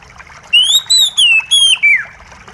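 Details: Kacer (white-rumped shama) song played as therapy for a stressed bird that has stopped singing, mixed with trickling water: five loud whistled phrases, rising then sliding down, ending in a falling slur over faint background.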